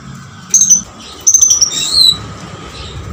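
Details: Oriental magpie-robin delivering bits of its lovebird-style song: thin, very high whistles in two short bursts, followed by a harsher, slightly lower buzzy note, against a low steady hum.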